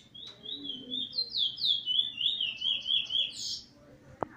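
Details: Very wild plain brown Chestnut-bellied seed finch (Trini bullfinch, no spot) singing the weet teeture style with a roll, January 11th 2020; a fast, warbled run of slurred, rising and falling whistled notes, about four per second, ending in a faint click.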